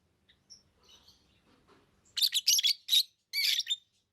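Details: Soft, faint twittering and murmurs open, then pet lovebirds burst into a quick series of loud, harsh, high chirps, four or five in under two seconds.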